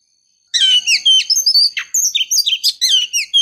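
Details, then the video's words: Oriental magpie-robin female voice used to lure a male: after a brief silence, a continuous rich run of loud whistles, downslurs and buzzy chatter at high pitch. "Suara Gacor Kacer betina memancing jantan"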